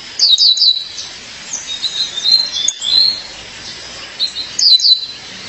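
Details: A female violaceous euphonia calls to her partner with clusters of three or four sharp high chirps, then softer slurred whistles, with another chirp cluster near the end.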